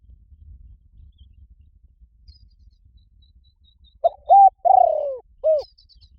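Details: A spotted dove lure call for wild doves. After a quiet start, one phrase arrives near the end: a short note, a flat coo, a long rolling coo sinking in pitch, then a brief arched note.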